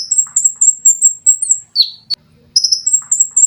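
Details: Olive-backed sunbird for training cage birds delivers rapidly repeated piercing high notes, briefly broken by a sliding note and a sharp click, then resumes the fast series.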